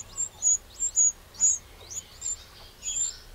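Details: Eurasian wren in a garden in the Châtillonnais, Burgundy, France, on 2 June 2023: short, very high ticking calls in small irregular bursts, with light background noise.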